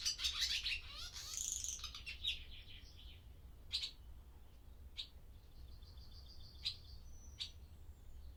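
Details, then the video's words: Barn swallows in an old daytime barn at breeding season start: a loud opening flurry of squeaky twitters and buzzy rattles, then sparse single sharp chirps and a thin drawn-out whistle over a low hum. "Barn Swallow Sound Library"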